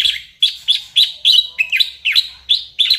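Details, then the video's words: White-rumped shama singing, used as a lure to make other birds respond and sing: sharp, bright chattering notes repeated about three times per second in a steady, insistent rhythm. "pancingan MURAI BATU agar GACOR dan LANGSUNG EMOSI"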